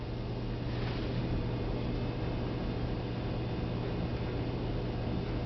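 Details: Steady broadband rumble like a vehicle engine, dominated by a low droning hum and without any animal call.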